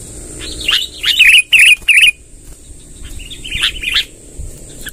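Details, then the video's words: Sooty-headed bulbul singing eagerly, used to pull in wild birds: a handful of clear, bubbly, rounded notes in quick succession, then softer scattered warbles, against a constant faint high-pitched tone. "suara tembakan BURUNG KUTILANG NGEROL PANJANG"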